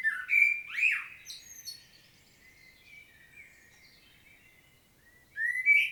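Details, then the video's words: Solo song of a common blackbird recorded 25 September 2022 in Świnoujście, Poland: a powerful, swooping, flute-like opening phrase trailing into soft high twittering, with a new loud phrase beginning at the end. "Blackbird's solo"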